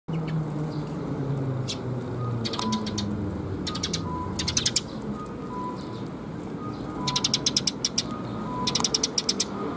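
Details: Sparrows coming to be fed at Suijō bridge on 26 June 2021, giving bursts of rapid, high, clicking chirps in short clusters, loudest near the end, over steady low traffic rumble and a faint intermittent hum.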